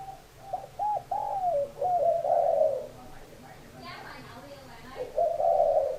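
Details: Spotted dove coos come in a rapid run of short hooked notes and a long, rough note. A brief human voice cuts in near the middle before the cooing resumes.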